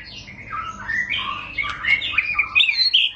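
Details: Murai batu, or white-rumped shama, singing a long rolling song (ngerol panjang): dense high scratchy twittering mixed with short whistled notes, quick and varied, recorded indoors.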